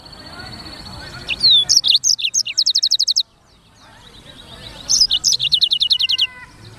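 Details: Lively black-throated canary singing: a downward whistled sweep opens a string of sharp chirps and a quick rattling trill, a pause, then another chirpy trilled phrase ending on soft, lower, steady whistles.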